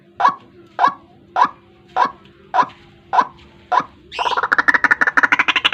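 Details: White-breasted waterhen lure call for trapping in the morning: seven evenly spaced harsh notes, then a fast rattling burst of rapid pulses rising in pitch.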